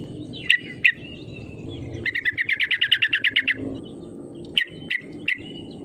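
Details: Lure call of a yellow-vented bulbul to make rival birds sing: two sharp chips, a fast rattling series of a dozen or so bright notes, then three more spaced chips over faint low noise.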